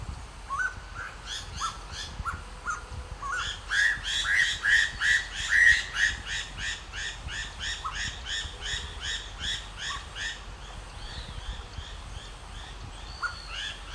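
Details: Striated laughingthrush calling in the Himalaya, throat puffed out: rapid rows of rich, nasal, harmonic chattering notes, a brief run of louder rising whistles, then more scattered upslurred notes amid low background noise.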